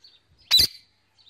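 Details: Single piercing, rasping screech from a pet male Indian ringneck parakeet calling to his mates at evening, framed by faint thin whistles.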